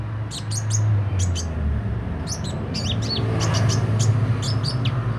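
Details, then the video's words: Sunbird, said to sing persistently with beak open, producing high, sharp tweets and quick slurred notes in irregular clusters, with a constant low rumble beneath. "Burung kolibri ninja mental baja buka paruh gacor dor"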